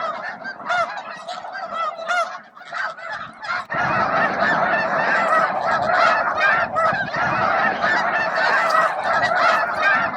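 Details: Thousands of snow geese feeding and jostling for space around noon at Bosque del Apache; a dense, overlapping chorus of nasal honks, quieter for the first few seconds, then swelling into a steady loud din.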